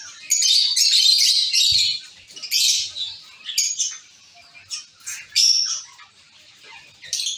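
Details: Zebra finches in a cage colony: dense, buzzy calling for the first two seconds, then scattered short nasal calls, fading toward the end.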